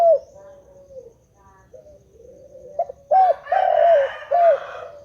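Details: Continuous spotted dove song, starting with faint, low murmured coos, then three loud mellow coo notes in a row, the middle one longest, over a raspy background hiss.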